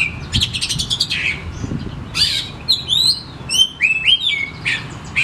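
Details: Lure song of an oriental magpie-robin, aimed at birds slow to sing. The clip opens with a quick rattling series, followed by harsh bursts and then swooping whistled notes that rise and fall. A low hum persists.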